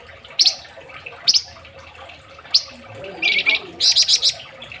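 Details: A scarlet minivet, known as flamboyan in Indonesia, in a training (masteran) recording gives sharp, high chirps: three spaced single notes, then a quick rattling run of bright, piercing notes near the end.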